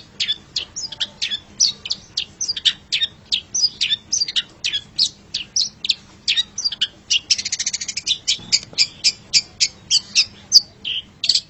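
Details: Long-tailed shrike in a masteran recording: a long, continuous stream of rapid chipping and twittering notes, about three to four per second, with a brief buzzy passage near the middle.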